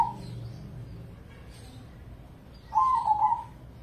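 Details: Crossing-bred zebra dove kept for song competitions, a brief coo at the very start, then a rolling purred coo phrase after a quiet gap; low background hum.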